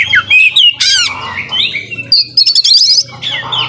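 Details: Oriental magpie-robin in loud, varied song full of mimicry: twisting whistles, harsh squawky notes and fast buzzy rattles delivered in quick succession.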